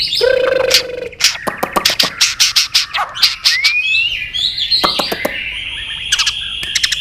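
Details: White-rumped shama singing competitively with tail flicking: a low steady whistle, then a rapid run of sharp clicking notes, a rising slurred whistle and long high sustained tones.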